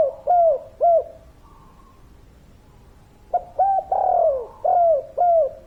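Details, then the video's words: Spotted dove of the local kuk 3 type calling steadily: two soft rounded coos, a quiet pause of about two seconds, then a quick run of five mellow coos, one drawn out and sliding downward. "Derkuku Tekukur Gacor Suara Padat"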